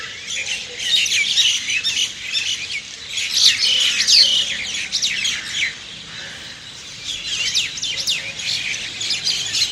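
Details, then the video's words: Early-morning chirping from a crowd of birds: sharp, rapid high-pitched tweets in bursts, busiest around the middle and final seconds, with no other sounds standing out. "Birds Chirping Sound"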